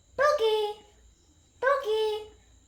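An Indian ringneck parakeet speaks two short, high, nasal word-like phrases about a second and a half apart, with a faint steady whine in the background.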